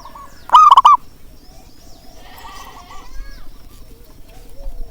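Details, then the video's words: Local zebra dove with a big voice, played to encourage quiet doves to sing: one loud, trilled, bubbling coo, then a softer, more distant coo and faint background murmur. "panggilan untuk perkutut malas bunyi"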